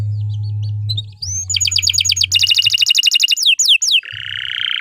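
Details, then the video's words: After a second of low hum, a canary bursts into 'gacor panjang' song for masteran: a rising whistle, fast pulsed double-toned trills, a few falling swoops, then a steady buzzy note. "Suara Burung Kenari II GACOR PANJANG Cocok untuk Masteran"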